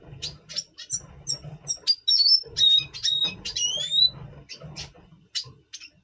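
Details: Pre-breeding voice of a double pastel red siskin, November 2023: clipped high chips mixed with short buzzy phrases and a pair of sweeping rising whistles, over low hum.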